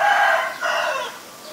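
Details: Asian barred owlet giving a loud, harsh chattering call in two bursts, the second dropping in pitch and trailing off within about a second.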